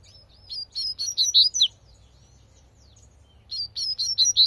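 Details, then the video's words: Double-collared seedeater singing tui tui in nature: a phrase of about seven rapid high whistled notes ending in a sharp downslurred note, then a pause of nearly two seconds and another rising series. "coleirinho cantando tui tui na natureza"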